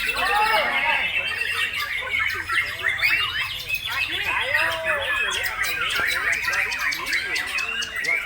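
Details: White-rumped shama breeding parent bird singing without pause in a 'nembak' style: dense, rapid run of varied warbled and whistled phrases, many short rising and falling notes overlapping, with people talking throughout and other birds calling.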